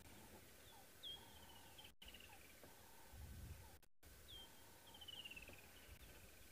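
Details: Woodland Kingfishers in the African bush on a cloudy, 25-degree afternoon on 29 Nov 2022 give two calls about three seconds apart, each a sharp high note then a long trill sliding down in pitch, over softer bird notes, doves and a low rumble.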